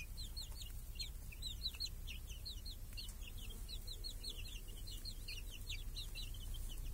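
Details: Chicks happily hunting flies and eating alongside hens under a protective cage in a village on a clear summer day. A continuous chorus of bright, rising-falling peeps overlaps densely throughout, over a faint low hum.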